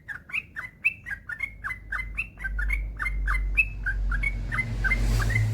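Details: Yellow-vented bulbul in full song, a long rapid-fire run of short bubbly chirping notes, about four per second, over a steady low rumble that grows louder toward the end.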